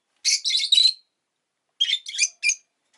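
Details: Rosy-faced lovebird chirping: a quick run of three rasping, buzzy notes, a pause of nearly a second, then three more shorter, sharper chirps; no other sounds.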